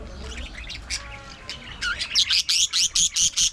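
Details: Pet budgerigars at play, grooming and squabbling: soft warbled chatter gives way to a run of loud, sharp chirps repeated about twice a second, each a bright high burst.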